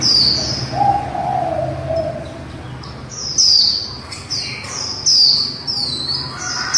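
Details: A female white-eye delivers líu song to trigger white-eyes into singing: a lower whistled phrase, then a rapid run of bright, high, falling chips repeated in short groups.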